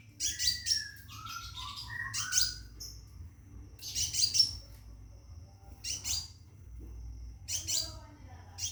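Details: Caged scarlet minivet calling a female to mate: bursts of thin, high chirps and short whistled notes in clusters a few seconds apart, with a faint low hum underneath.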